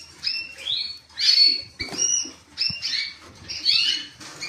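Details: Creamino canary song made of quick, paired whistled syllables and brief chattering flourishes, repeated in short phrases with small clicks between.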